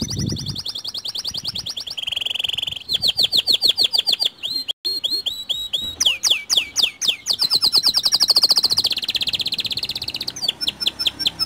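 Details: White canary singing a lure song meant to get other canaries singing. Rapid high trills shift between syllable types: fast buzzy rattles, rising sweeps and repeated downslurred notes. A brief low thump comes at the start.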